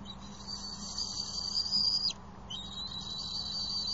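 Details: Two 10-week-old bald eagle eaglets, branched and perched side by side off the nest in Johnson City on May 27, 2020. A thin, high whistled note is drawn out for two seconds, then resumes steadily after a short pause.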